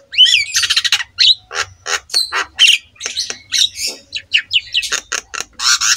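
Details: Black-winged myna master song for coaxing silent mynas to sing: a lively stream of harsh squawks, buzzy notes and short whistles in quick succession, with a soft low hum underneath.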